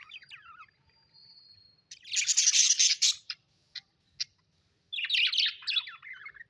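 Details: Happy budgerigar pets: a soft rising warble and a thin held whistle, then a loud dense burst of raspy chatter, a few sharp clicks, and another run of bright, rolling warbled chirps.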